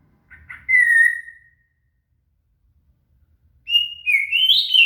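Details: Shama song serving as training material for a cililin: one long falling whistle, a gap with faint low rumbles, then a bright rising warble climbing higher in pitch.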